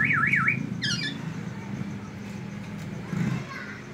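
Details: A black-naped oriole imitating white-rumped shama song gives a quick wavering whistle, then a short run of falling harsh notes, over a steady low rumble of traffic.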